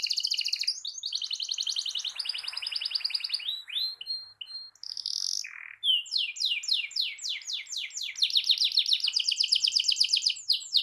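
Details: Canary in full song, a long rolling song meant to provoke other canaries into singing: fast high trills and rattles, a brief pause with a downward swooping note near the middle, then rapid repeated sweeping notes building into a loud, steady roll.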